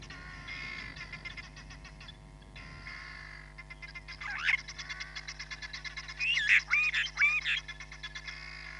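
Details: Hamerkop recorded by a live camera at Nkorho Bush Lodge, 31 July 2021. Fast pulsed chatter and a steady hum come first, then a loud nasal arching note, then a burst of several strident, bending calls in quick succession.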